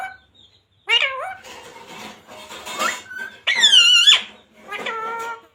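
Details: Ring-necked talking parrot indoors producing squeaky, speech-like phrases: a sharp rising word, a murmured stretch, then a loud swooping phrase and a final shorter one.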